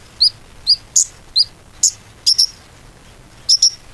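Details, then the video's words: Konin lure song for getting a quiet konin singing again: loud, sharp high chirps given singly or in pairs at irregular gaps of about half a second. "PANCINGAN KONIN ‼konin macet pasti gacor kembali"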